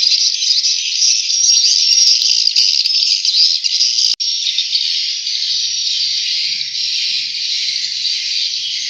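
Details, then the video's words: Swiftlet chicks keep up a loud, sustained shrill chirping chorus, high and hiss-like, broken by a sharp click partway through before carrying on unchanged. "Lucunya Anak Burung Walet"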